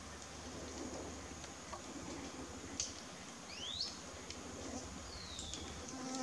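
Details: Wire-tailed manakin courting a female in the Amazon: a short rising swept note followed a second and a half later by a softer falling whistle, scattered clicks and a continuous high insect hum behind.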